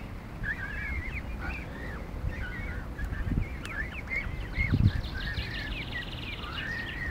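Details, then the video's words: Geese, adults with young, walking across a car park in York give repeated short nasal honks, some rising and falling, over a steady low rumble of background noise. "Geese kicking off"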